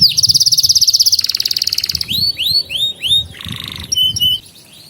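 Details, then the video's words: Canary song used to train young canaries: a very rapid rolling trill lasting about two seconds, then swooping whistled notes, a short buzz and clipped repeated chirps. "Kenari GACOR Masteran Burung Kenari PAUD Belajar Bunyi dan Pancingan Kenari Macet"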